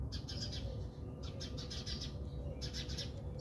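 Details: House sparrows squabble in a backyard in South Africa, giving a fast run of sharp high chirps. After a short lull the chirps resume, over a constant low hum.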